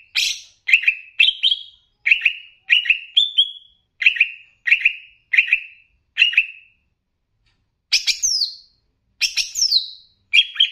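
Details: Greater green leafbird, Banyuwangi type, in a training recording mixing in bebeci-style phrases to arouse other leafbirds. Short, slurred whistled notes repeat roughly every half second in a steady series, then come three louder, sharply descending bursts.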